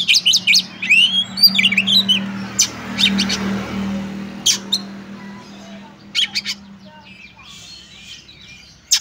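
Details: Female Oriental magpie-robin calling to a male, used to excite other males into singing; bursts of fast whistled notes and sweeping slurred phrases, then sharp scattered chips with gaps, over a low steady hum.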